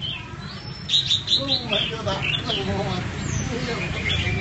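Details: Red-whiskered bulbul singing in the 'double voice' style, from a keeper's voice-training recording: bursts of bright, sweet chirped notes around the middle of the clip, with men talking and a low background rumble throughout.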